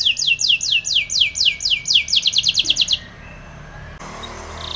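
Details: Rhythmic series of descending whistled sweeps from a Spanish Timbrado canary in a training song, about four per second for three seconds, followed by near silence.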